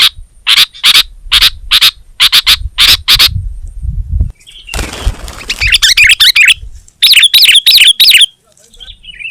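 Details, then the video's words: Sooty-headed bulbul chirping in brisk doubled notes, broken midway by a rush of broadband rustling noise, then resuming with rapid, bright slurred chirps. "Suara Burung Kutilang Gacor Terbaik 2022"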